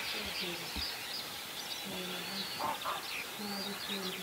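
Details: Whooper swan at Vilkkilänturta in Virolahti, Finland, calling very strangely, seemingly with something stuck in its throat and drinking water constantly; short, flat, low nasal tones in a loose series, with small birds chirping high in the background.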